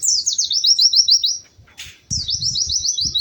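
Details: Pleci, or white-eye, in lively melodious song: a string of quick upslurred high whistles that breaks off with a short rustling burst, then resumes with a downward swoop into more rapid rising notes.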